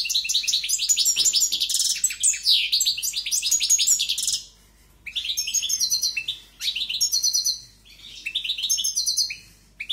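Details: Forceful European goldfinch song: a long run of rapid, bright twittering phrases, then three shorter bursts of chirps and trills separated by brief silences.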